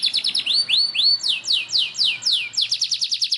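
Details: Belgian Bossu canary singing a rolling song: repeated downward-sweeping whistled notes about two per second, then speeding into a fast, even trill near the end, clean and loud with little background.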